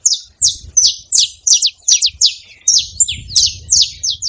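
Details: Several saffron finches making noise together: steady series of bright, high chirps dropping in pitch, about one every third of a second, a few overlapping near the end.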